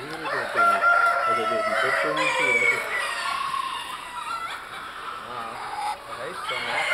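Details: Crowing of a buff bantam Orpington cock at a poultry exhibition in Etziken, Switzerland, January 2012: a drawn-out, harsh crow over soft low clucking, with further crows from other birds in the hall.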